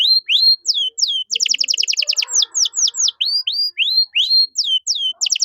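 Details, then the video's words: Canary song used as a training recording for caged songbirds, with a luxurious song style: rising slurred whistles, then fast repeated trills of high notes and descending sweeps, clear and loud with no other sounds. "MASTERAN KENARI GACOR || Cengkok Mewah Mudah Masuk untuk Burung Bahan"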